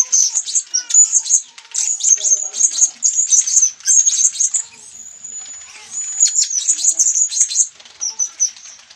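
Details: Sabah, Borneo recording of a blue-crowned hanging parrot uttering rapid, high-pitched sizzling twitters in quick clusters, with a steadier thin tone midway and faint lower chirps.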